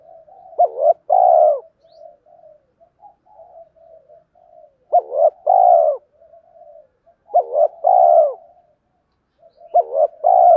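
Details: Coo of a spotted dove in the 'hai hậu' pattern, used daily to provoke wild birds of its kind. Four phrases roughly every 3 seconds: a clipped double note, then a long falling coo, with soft chuckling notes between phrases.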